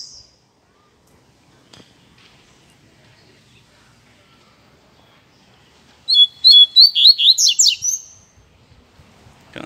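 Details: A pet Double-collared seedeater, taken out in late afternoon to neighbourhood scrub with a hawk nearby, sings loudly to draw attention after a long quiet stretch with faint rustle: a quick, high song of about eight sharp, clipped notes over two seconds.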